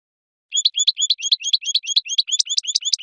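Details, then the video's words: Goldfinch singing a sweet twittering song: after half a second of quiet, quick bright chirping notes repeat in a steady rapid series of similar phrases, growing slightly louder toward the end. "Gold finch switty bird singing"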